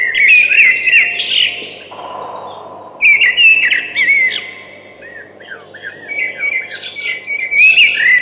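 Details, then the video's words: Three phrases of thrush song, each a dense tumble of clear whistles and sharp chirps, with brief quieter pauses between and a low steady hum throughout. "Beautiful Thrush Singing"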